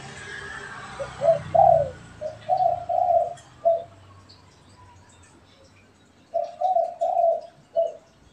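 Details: Spotted dove calling, a pet and a wild bird answering each other; a series of low, soft coos in two bouts, each of several separated notes, with faint background noise at the start.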